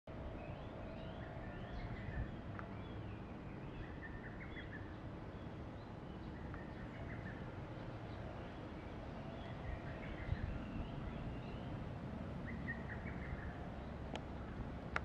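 A distant lesser cuckoo gives short, quick staccato phrases every few seconds, faint over a steady low rumble of traffic or wind.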